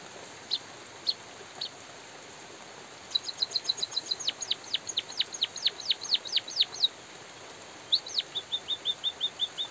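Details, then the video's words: Drizzling rain accompanies a white-headed munia in full voice: three spaced single notes, then a quick series of high chirps running into many sharply falling slurs, a pause, and a final slur with a neat train of short chirps. "suara burung emprit pipit bondol kaji gacor jeda natural dan suara hujan"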